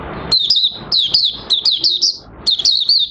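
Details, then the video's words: Mata Puteh Raja, an Oriental white-eye, opening its song on 30 August 2022 with new white plumage nearly pigmented; four bright bursts of quick, sliding twitters with light background noise between them. "Mata Puteh Raja Buka Sing"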